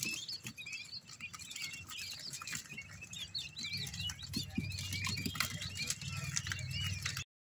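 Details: Quail chicks warming up together: a dense, continuous chorus of overlapping high peeps and chirps, many chicks calling at once, over a low rumble and steady rustling and pattering.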